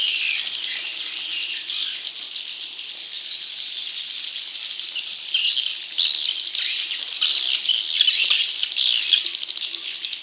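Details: Swiftlet chicks calling in a lure recording meant to attract wild swiftlets: a dense, continuous high-pitched chatter of buzzy, overlapping chirps that swells louder toward the end.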